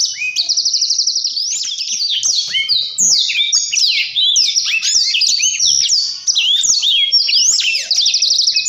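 Black-throated Canary pouring out a fast, unbroken high song of sweet slurred whistles, rapid trills and chattering notes, with brief breaks near three and six seconds.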